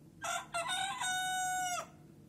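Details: Leghorn roosters crowing: one loud cock-a-doodle-doo of two short harsh opening notes followed by a long sustained, steady, rich-toned note lasting nearly a second, then cutting off.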